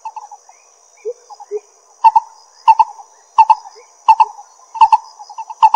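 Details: Lesser coucal, Pingtung County, Taiwan, May 22, 2016: a few quiet notes and two lower slurred calls, then strong paired hollow notes about every two-thirds of a second, backed by a faint high hum.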